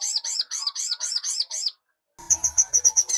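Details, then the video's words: Sunbird song, known locally as sogok ontong, for tutoring young birds: a rapid string of high, bouncing whistled notes, a brief pause, then sharp high chips repeated quickly over a faint low rumble. "SOGOK ONTONG GACOR DOR Ampuh Buat Masteran Sogon Anakan"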